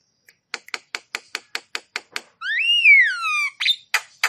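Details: Javan myna song in lively full-repertoire style, used to stimulate stressed or quiet mynas: evenly spaced dry clicks about five per second, then a long slurred whistle rising and falling, ending in harsh notes.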